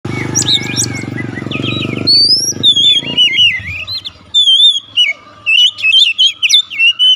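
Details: Oriental magpie-robin launching straight into loud 'nembak' singing: after two seconds of low rumbling background noise, clear whistled phrases around mid-high pitch, sliding and warbling, broken by short pauses, with sharp high chips mixed in.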